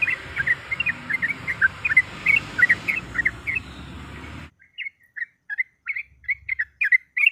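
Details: Female yellow-vented bulbul calling for a male, meant to provoke rivals: rapid, liquid chirps, first over a loud hiss of background noise, then clean and spaced after it cuts out midway.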